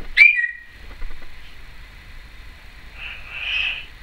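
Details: Female pet Timneh African grey parrot, recorded in 2012, gives one sharp, bright whistle that rises then settles, followed by faint soft breathy sounds.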